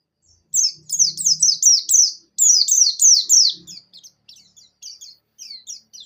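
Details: Buxtoni Javan white-eye, wild-caught, in strong song played as a prompt for other white-eyes: two quick series of shrill falling chirps, then scattered softer short notes, with a faint low hum.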